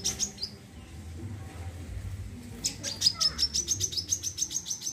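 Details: Wiceh bird in lively chattering form, kept for training other birds and as therapy: a few sparse high notes, then from about three seconds a rapid, even run of thin, high chirps repeated several times a second over a faint low hum.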